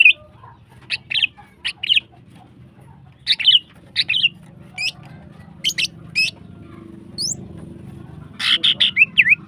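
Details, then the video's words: Female greater green leafbird, a cage bird, singing to stimulate other birds: short bright chirps and squeaky notes in scattered bursts, some twisting downward, with low background hum throughout. "CUCAK HIJAU BETINA GACOR HIPER NEMBAK PANJANG BIKIN BIRAHI SEMUA BURUNG"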